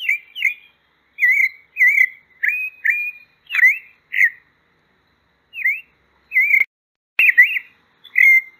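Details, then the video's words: Pale-breasted thrush (sabiá-poca) singing in Brazil: about a dozen short, clear whistled notes, some rising, some falling or trilled, in loose bursts with a long pause midway. No other sounds. "O Canto da Sabiá Branca. Sabiá Poca cantando."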